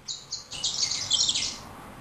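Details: Male yellow-rumped seedeater kept as a pet, singing: two short high whistled notes followed by a dense, scratchy burst of chirps and trills.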